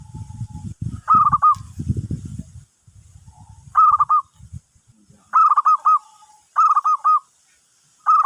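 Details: Lure call of a zebra dove attracting other birds: short rippling cooing phrases of several staccato notes, repeated every one to two seconds, with low rustling and handling noise during the first few seconds.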